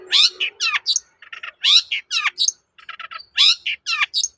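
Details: Long-tailed shrike lure song to make other shrikes answer: a repeated phrase of harsh downward-sweeping rasps, soft stuttering clicks and a high squeal, recurring roughly every two seconds.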